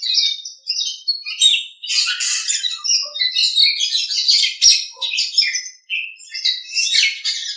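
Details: Nias hill myna recorded as a master track for teaching other birds: an unbroken stream of loud, rough chatter mixed with piercing whistles and occasional short low notes.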